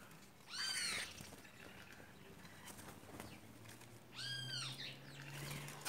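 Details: A group of white woodpeckers taking over a spot; one gives two nasal, mewing calls about three seconds apart, each rising then dropping, over a low hum and faint clicks.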